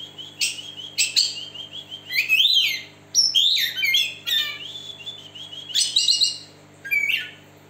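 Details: Tail-spreading West Java Oriental magpie-robin with a split beak in continuous song, offered as a lure to get silent birds singing; rich rapid whistles, slurred upward and downward notes and chattering bursts, with short gaps and a low background hum.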